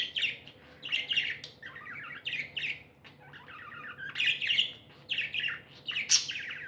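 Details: Happy pet budgies chirping in short clustered bursts of rapid buzzy notes, some falling trills, separated by brief gaps and ending on a shrill high squeak.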